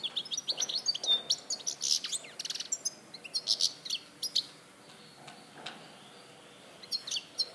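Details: Goldfinch song recorded at Larache in 2014: about four seconds of rich, tumbling twitters with buzzy and nasal notes, then a softer pause broken by a few scattered chips.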